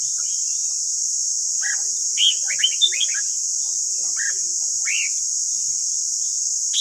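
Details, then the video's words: A red-whiskered bulbul sings to train caged birds: a short phrase of cheerful, rolling whistled notes, then two separate rising whistles and a last bright note, with a constant hissing background. "Luyện giọng chào mào ép bổi ép má trắng"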